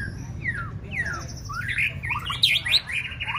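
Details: A white-rumped shama trained for singing contests gives clear falling whistles. These build into a quick jumble of rising and falling notes with bright high trills, over faint low hum.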